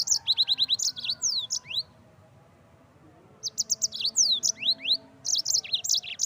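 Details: Energetic yellow-fronted canary song, a training model for songbirds: fast series of high, sharp notes with slurred whistles, a silent gap, then lively jumbled chirps and rising whistles.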